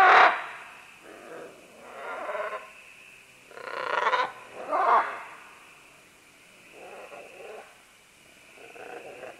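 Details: Green-winged macaws, a group descending along vines, calling with loud harsh screeches and raspy squawks, several in quick succession, then softer rough calls spaced out; faint steady high drone behind.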